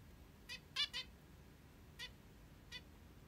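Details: Morning calls from a pet zebra finch described as a plump beauty: five short bright nasal notes, the middle two close together, then two single notes spaced apart.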